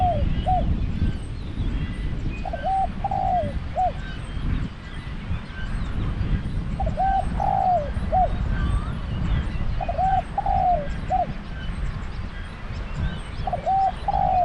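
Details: Low, soft coo phrases from a spotted dove kept as a trapping decoy, repeated about every three to four seconds, each a quick double coo, a longer downward-sliding note and a brief end note, against dull background rumble.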